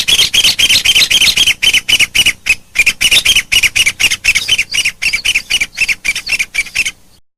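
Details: A pair of ncuab birds calling: a fast run of harsh, squawking notes, about four every second, bright and scratchy, kept up steadily for about seven seconds before stopping; no other sounds stand out.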